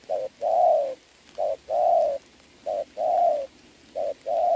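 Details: Decoy spotted dove challenging a wild dove in the rain, 26 November 2022. Steady series of two-part coos, a short note then a fuller, longer note, repeated about every 1.3 seconds.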